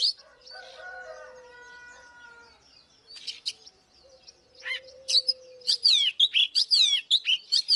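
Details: Oriental magpie-robin giving fighting song. Soft, drawn-out low tones and murmurs come first, then loud twisting whistled phrases in quick succession toward the end.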